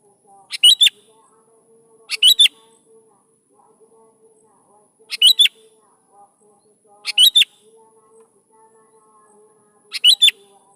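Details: Sooty-headed bulbul repeating its song to get young bulbuls singing: five short phrases of quick bright whistles arriving roughly every two seconds, with a faint steady low hum underneath.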